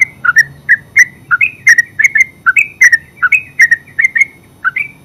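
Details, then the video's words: Ngeropel-style song of a yellow-vented bulbul, known locally as terucuk: a steady run of clear whistled gurgles, some rising and some falling, roughly three to four notes per second with faint low background hum. "Terucuk full suara ngeropel"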